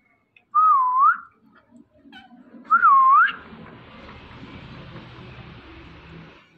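A rose-ringed parakeet gives two clear, wavering whistled phrases about two seconds apart, each dipping then rising, followed by a soft rustling, hissing background.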